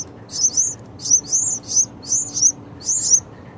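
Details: Yellow-vented bulbul baby birds on their sixth day: loud, thin, high squeaky chirps in quick clusters of two or three, roughly eight bursts in under four seconds, over a faint low hum.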